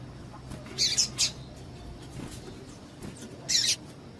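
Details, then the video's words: A female double-collared seedeater calls to excite males: a fast cluster of three high, buzzy chips, a pause, then one more, over low background rumble. "PIADO DE FÊMEA DE PAPA CAPIM PARA DEIXAR SEU PAPA-CAPIM DOIDO"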